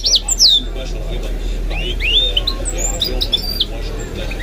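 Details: Goldfinch mule with loud swooping whistles at the start, then softer twitters and sliding notes, against a background of Arabic speech.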